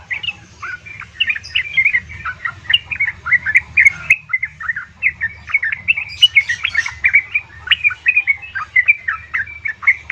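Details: Female yellow-vented bulbul calling a male, used as a lure to get caged birds singing: a continuous bubbly, chattering run of short warbled notes jumping up and down, with a low steady hum underneath.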